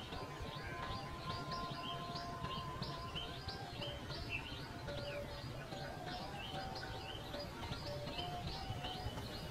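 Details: Pipit calling: a continuous run of short, high chirps, each a quick upward or downward slide, packed several per second and overlapping, with a low rumbling background and a faint steady hum.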